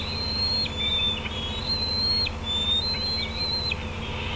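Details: Bald eagle parent and juveniles at the Decorah nest on the evening of June 18, 2016: repeated long, high, thin whistles, each ending in a quick downward slur, three or four in four seconds over low hum.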